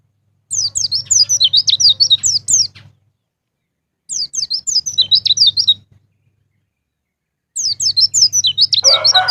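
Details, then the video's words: Lure song of a white-eye meant to set caged birds singing: three bursts of quick, high, descending whistled notes separated by pauses, the last burst joined by a lower, rougher sound. "PANCINGAN BURUNG PLECI NGALAS NGEPLONG"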